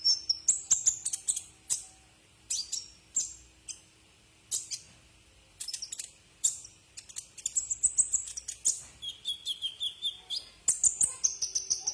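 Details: Brown-throated sunbird song used as a tutor recording for cage birds: bursts of sharp, very high chirps and thin twittering notes, some short rising and falling whistles, broken by brief pauses.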